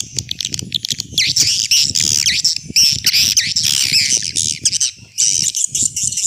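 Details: Swiftlet attraction call of the old style: overlapping harsh, buzzy squawking notes that bend downward, packed into continuous high chatter with few gaps.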